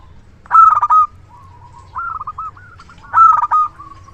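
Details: Big-voiced local zebra dove, used as a decoy for luring, sings two loud rolled coo phrases with a softer rippling trill of coos between them.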